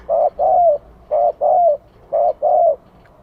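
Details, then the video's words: Three crisp phrases from a Vietnamese spotted dove acting as a lure, each a clipped hoot then a longer coo that bends downward, evenly spaced in a quiet setting. "Tiếng chim cu gáy gọi kích mồi hiệu quả"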